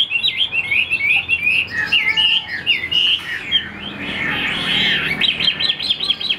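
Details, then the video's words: Chinese hwamei kept in a cage, singing under overcast pre-rain skies: a rapid stream of high, bright whistles and slurred trills, dense and continuous, with a brief rough burst midway. "Tốc độ mỏ quá ok, đầu mặt đẹp chất giọng cực kỳ hay | Họat Họa Mi"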